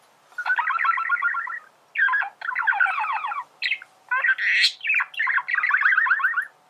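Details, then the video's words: Male budgerigar song meant for teaching other birds to sing: rapid chattering warble in five or six bursts, each a string of quick buzzy, rattling notes with brief pauses between, one higher squeaky note midway. "تغريد ذكر بادجي"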